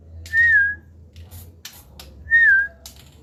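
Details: Male white-rumped shama that is becoming accustomed to being let out. It gives two pure, slurred whistles that rise and then dip, about two seconds apart, with faint clicks and a low hum between them.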